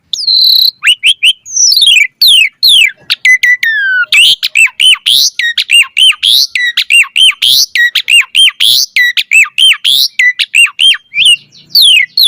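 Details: Asian pied starling delivering mompa song with full variation: opening slurred whistles give way to a long, rapid string of repeated downslurred chirps with harsh buzzy overtones.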